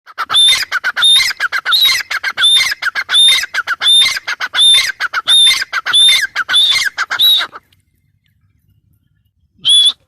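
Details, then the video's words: Female grey francolin giving loud, harsh, rhythmic phrases about every 0.7 seconds, each with a bright rising whistled note among grating bursts. Eleven phrases run for about seven seconds, a pause follows, then one final phrase. "Teetar awaz teetar voice gray fryancoline teetar sound female teetar awaz"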